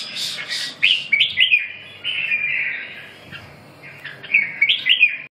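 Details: Red-whiskered bulbul singing: bright, liquid whistled phrases that rise and fall, a sustained warbling passage in the middle, then a fresh burst of quick chirpy notes near the end.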